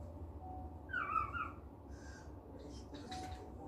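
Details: A pet cockatiel in a good mood gives a short whistled, wavering call lasting about half a second, with a faint later chirp over steady low room hum.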